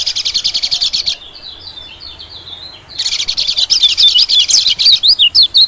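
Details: White-eye lure call for attracting small birds: dense high buzzy trills at first, then a softer stretch of quick notes, then loud rapid twittering chirps sweeping up and down.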